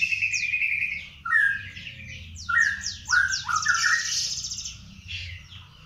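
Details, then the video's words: Young panda canary practising its song: loud rolling phrases of quick down-slurred notes, dipping low then sweeping upward, mixed with fast high chatter and a brief trill, nearly continuous over faint low hum. "Kenari Panda Belajar Gacor"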